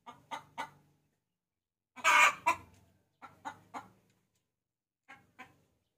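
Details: Lure call of a hen summoning a rooster: three quick clucks, a loud harsh squawk, three more evenly spaced clucks, then after a gap two final soft clucks.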